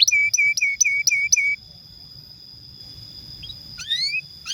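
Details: Canary singing as a stimulus for young or silent canaries: six evenly spaced, clear repeated notes, a quiet stretch with a faint steady ringing tone, then a few rising chirps near the end.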